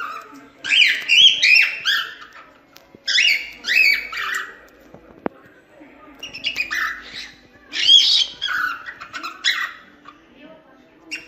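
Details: Singing cockatiel, used as a lesson to teach cockatiels to sing: bursts of squawky, warbling chirps with rising and falling notes, grouped in phrases of about one to two seconds separated by short pauses, faint room background.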